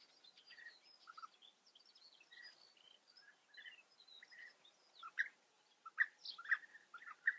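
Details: At a breeding colony in the Eifel, Germany, European bee-eaters give faint scattered trills at first, then louder, clearer rolling calls repeated about every half second near the end.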